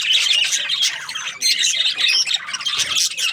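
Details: Australian parrot budgies squawking and chirping in a brief, dense burst of shrill, overlapping calls with a momentary dip in loudness midway.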